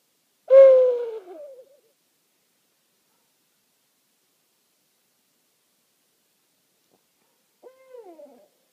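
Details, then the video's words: Two owls exchange calls at night over a meadow on Rattenbury Rd: a strong, low hoot drawn out and dropping at the end, then after a long silence a fainter, shorter reply. "Owl Calling on Rattenbury Rd"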